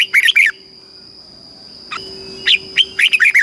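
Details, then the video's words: Southern master-style song of a red-whiskered bulbul, used to excite caged birds and train chicks. A quick cluster of bright whistled chirps, a pause, then another lively run of clear notes, with a constant high whine behind. "เสียงนกกรงหัวจุก สำหรับต่อ หรือ เปิดให้นกคึก"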